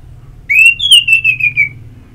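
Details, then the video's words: Orange-headed thrush ngeplong therapy song recorded in Singaraja, North Bali, to stimulate singing: one long, pure whistle that climbs, then wavers and slides slowly downward for over a second, over a soft low hum. "Pagi Siang Sore Terapi Ngeplong Untuk ANIS MERAH Malam ya Tidur Merangsang untuk Bunyi"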